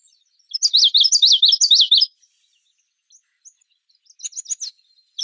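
Common yellowthroat singing a bright, high, rolling phrase repeated four times in quick succession, like 'witchety-witchety', followed by a fainter partial phrase.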